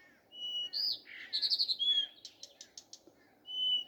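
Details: Morning song of a common nightingale: pure whistles, a buzzy rattle, then a sequence of sharp repeated clicks, ending on another clear sustained whistle, with a constant low hum behind.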